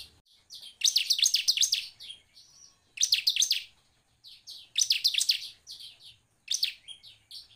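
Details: Bar-winged prinia (ciblek) song used to prompt other birds into singing: loud bursts of fast, high, sweeping chirps repeated roughly every two seconds, with softer notes between bursts.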